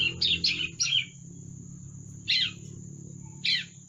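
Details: Young bar-winged prinia learning to sing: a quick burst of three high, buzzy chirps, then two more separated chirps about a second apart, over a steady high electrical whine and low background hum.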